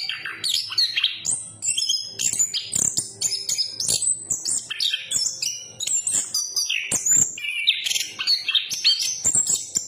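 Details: A chestnut-capped thrush, Southeast Asian forest songbird, pours out a rich, rambling song of high whistles, buzzy notes and quick slurs, peppered with loud clicking sounds.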